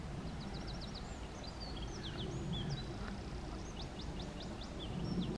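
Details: A Eurasian wren calls at RSPB Lakenheath with fast, high trills of sharp descending notes in quick runs, rather faint over a steady low rumble of wind.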